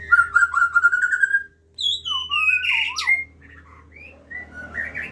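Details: Aceh white-rumped shama in a breeding setup while a parent feeds its young: a rapid trill of pulsed whistles, then looping and slurred whistled phrases, ending in softer scattered chirps.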